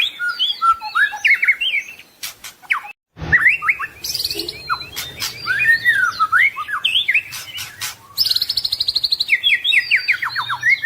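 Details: A white-rumped shama pours out a full-isian song meant for training other birds. Fluid whistles rise and fall, interrupted by dry clicks and buzzy rattles, with a short pause before the song resumes in fast descending trills.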